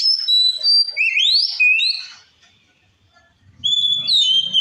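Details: Provoking song of an Oriental magpie-robin, ngeplong style: level piping whistles, then rising slurs and a clipped falling note, a quiet gap with faint low rumbling, and another clear, steady whistled phrase.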